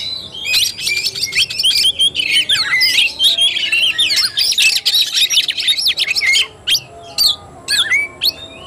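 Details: Oriental magpie-robin singing fighting style, long rapid run of chattering whistles and sharp clicks, then sparse single slurred notes near the end.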